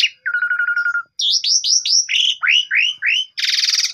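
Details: Javan pied starling song, a morning lure for a silent bird, phone recording: a steady rattling whistle, then repeated looping whistled notes stepping lower, ending with a harsh buzzy burst.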